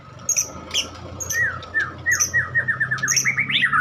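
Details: White-rumped shama from Medan singing a varied run of whistled notes, with slurred downward phrases giving way to a quick rising-and-falling flourish, interspersed with high sharp chips.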